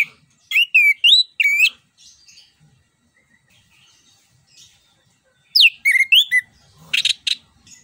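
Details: Lively rolling song of an orange-headed thrush, played to prompt a quiet thrush into singing. Clustered looping whistled notes in two bursts, then a scratchy chattering burst near the end, all high-pitched against a silent background.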